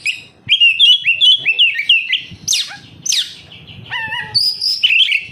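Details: Kacer, or oriental magpie-robin, singing as a lure for caged birds: a rich stream of varied whistles, fast downward sweeps and buzzy harsh notes, with steady rapid delivery.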